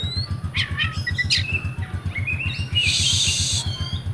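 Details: Kept oriental magpie-robin (kacer) from Comal, Pemalang, Central Java, Indonesia, in rewo-rewo style: scattered high chirps and short thin whistles, then a harsh hissing burst, over a constant low pulsing thump.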